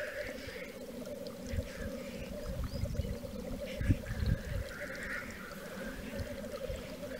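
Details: Black grouse displaying at a lek in Wales, March 2013, give an unbroken low bubbling, cooing chorus. Several rasping, hissing calls rise above it, and gusts of wind rumble underneath.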